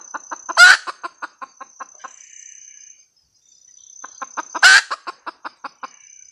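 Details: Red junglefowl hen cackling: a run of short clucks around one per quarter second, broken by a loud harsh squawk, repeated after a pause with another squawk and more clucks; steady high insect whine behind.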